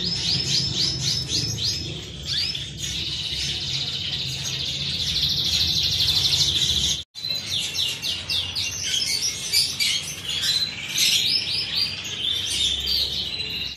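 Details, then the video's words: Canary song of rapid high trills and sweeping chirps, long sustained rolls, briefly cut off midway, then resuming. "All type of Canary is here"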